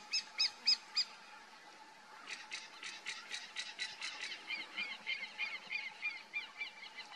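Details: Crane hawk perched at its lookout, with four loud, ringing nasal notes, then a longer series of quicker, softer repeated notes, followed by a chattering, overlapping run, over a steady background hum.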